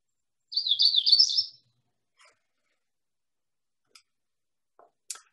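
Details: Magnolia Warbler, one of over 30 warbler species seen in Michigan in spring, gives one quick, high, slurred warble about a second long, followed by a few faint clicks and near silence.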